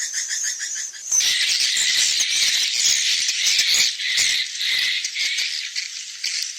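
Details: Swiftlet lure sound for evening roosting: a second of evenly spaced high chirps gives way to a dense, buzzy, rattling chatter of many overlapping high twitters that keeps going to the end.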